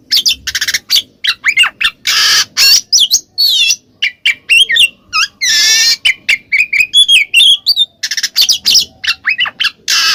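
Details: Kacer, the Oriental magpie-robin, giving ngeplong song meant to provoke a mute bird into replying; rapid bursts of rising and falling whistles mixed with rasping, buzzy phrases, delivered continuously for ten seconds.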